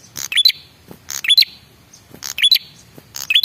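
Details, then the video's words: Lure call of a male red-headed prinia, meant to draw replies from other birds: scratchy buzzing bursts topped with a thin rising whistle, repeated roughly once a second. "suara pancingan burung prenjak kepala merah jantan"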